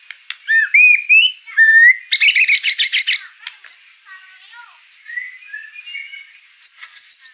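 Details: White-rumped shama song with mimicked fill-ins, mixing slurred whistles, a burst of harsh chattering notes, softer warbles and a final run of high repeated chips.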